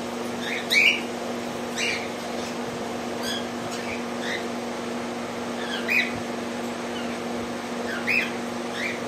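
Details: Rose-ringed parakeet eating food gives short, bright chirping calls, one every second or two, over a steady low electrical hum.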